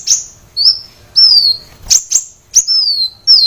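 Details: Sunbird (kolibri wulung) in energetic full song, recorded as training material for caged birds: high, thin, sharply falling whistled notes alternating with short clipped chips, separated by brief pauses.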